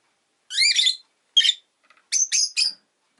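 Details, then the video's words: Pet rosy-faced lovebird giving harsh, buzzy chirps in short bursts: a broad screechy phrase, a single sharp note, then three quick rasping chirps near the end, with silence between. "Lovebird Chirping Sounds"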